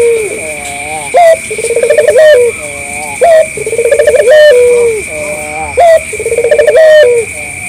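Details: A vigorous local collared dove calls as a lure for other doves: repeated cycles of a rippling pulsed coo and a prolonged falling note, about two and a half seconds apart, accompanied by a steady high electronic whine.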